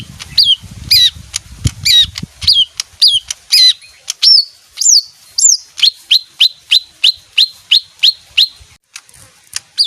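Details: Small leafbird singing varied sharp chirps and slurred whistles, then a long, steady run of about a dozen similar down-slurred whistled notes, each about half a second apart. Brief low thumps occur early on.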